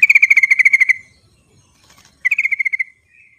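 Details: Sooty-headed bulbul in the wild, played to lure bulbuls that won't sing: two bursts of fast, evenly repeated bright notes, a second-long string then a shorter one, trailing into a slight upward whistle, over quiet background.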